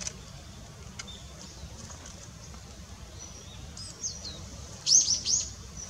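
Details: Long-tailed rosefinch pair, male and female, 20 December 2016: a long quiet stretch, then a quick burst of three or four high, thin whistled notes near the end, with low background rumble.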